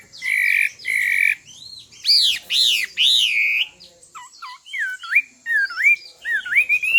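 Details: A female Chinese hwamei sings to provoke a male, giving two flat buzzy notes, then loud arching whistles, then quick downslurred and upswept whistles repeated in a lively varied pattern.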